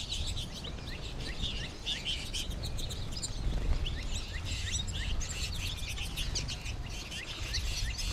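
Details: Late-March flock of American goldfinches; dense high chatter of many short upslurred chirps and twitters, running without pause over a soft low rumble.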